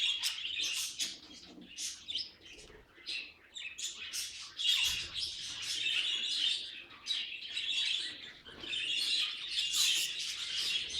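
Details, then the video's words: Pet budgie chatter in uneven bursts: harsh squawky chirps and clicking warbles separated by brief quieter gaps, with louder rushes around five and nine seconds. "Funny Budgie Noises Compilation"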